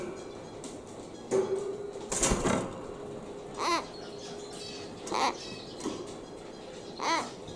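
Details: Three-month-old pet common hill myna, sex not yet known and too young to mimic speech, utters brief hoarse calls roughly every one and a half seconds indoors, with a rustling burst and steady background hum.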